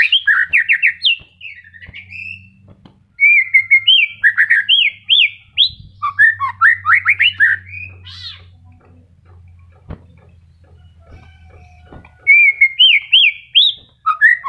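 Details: White-rumped shama singing during its moult: rapid bursts of bright, rising and falling whistles and chattering trills, a long pause filled by a low steady hum, then the song resumes.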